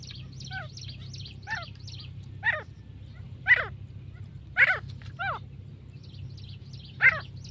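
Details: Female grey francolin giving loud, harsh, descending calls at irregular intervals of about one second, with small birds chirping high and repeatedly in the background.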